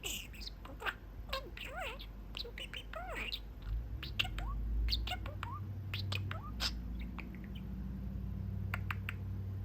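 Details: Pet male budgerigar chatting with his owners from a little window perch on his cage; rapid busy stream of chirps, clicks and bending warbled notes, with a low rumbling hum rising in the background midway.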